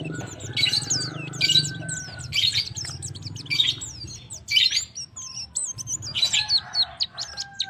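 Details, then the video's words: Calling to a female, a male white-eye repeats bright bursts of high chirps and slurred whistles roughly every second, with a faint low hum underneath. "male eye girdle calls the female"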